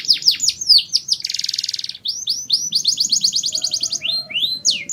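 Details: Canary of the Mushti style sings an energetic song used to stir females: downslurred whistles, a dense buzzing roll, then quick repeated notes and rising whistles, with faint low background hum.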